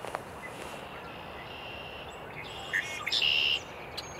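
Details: A red-winged blackbird sings its song-spread display on a cold morning at Cornell Arboretum, 3 April 2020: a couple of short clipped notes, then a harsh, buzzy half-second trill, over steady outdoor hiss.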